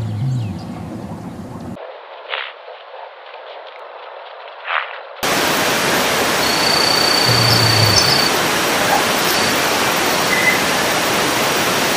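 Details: Only steady broadband hiss and static, with a muffled stretch near the start; no animal call stands out.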